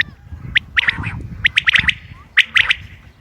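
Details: Common quail heard on 28 May 2025, sounds used for hunting: short sharp high notes in tight clusters of two to four, with a faint buzzy hum beneath and low rumbling noise.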